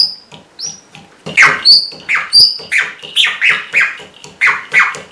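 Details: Red-rumped parrot gives a few high whistles, then a run of about ten harsh, rough bursts in quick succession, mimicking the neighbour's small dog that keeps barking.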